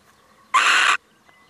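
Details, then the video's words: Male little owl visiting, giving one harsh, rasping screech of about half a second, broad and noisy, with quiet background before and after. "Mannetje steenuil komt even buurten"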